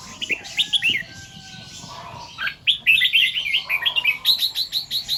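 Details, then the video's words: Red-whiskered bulbul singing in the morning, delivering its doubled 2-3 phrase and 'rik' song style: quick bright warbled phrases, some notes repeated in bursts, with a pause after two seconds and livelier chirping toward the end. "เสียงนกกรงหัวจุก ร้องเบิ้ล2-3 ร้องริก"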